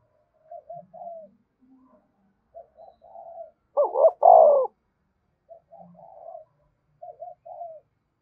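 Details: Spotted dove coo, used to get other doves cooing: scattered soft, low murmured notes around a single loud phrase made of a stuttered double note and a long, rich, downward-rolling coo.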